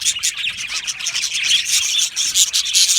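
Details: Australian budgies in a colony, singing and chirping happily: a dense, continuous high chatter of overlapping twittering notes, rapid scratchy warbles and short chirps, with no pauses throughout.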